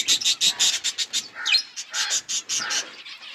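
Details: A flock of budgies at food gives rapid, evenly pulsed high chirps, roughly four per second, with one rising squeaky note partway through.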